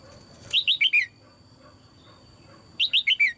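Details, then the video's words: Caged female red-whiskered bulbul, calling to stir other birds into song: two loud phrases of four bright, downward-slurred whistles in rapid succession, about two seconds apart, with a soft flutter and quiet hiss between. "นกหัวจุก birds - เสียงนกตัวเมียร้องในกรงดีมาก กระตุ้นเสียงนกร้องแรง"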